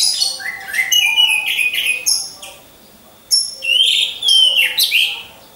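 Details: Orange-headed thrush kept in a cage hung in a row: bright varied phrases of slurred whistles and sharp high notes, a one-second pause, then another loud rich burst of whistled phrases.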